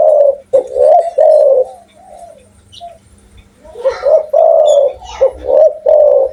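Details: Spotted dove in full, vigorous voice, giving loud deep coos in rhythmic phrases of three or four notes, with a short quiet gap midway before the phrases resume, over a faint steady low hum.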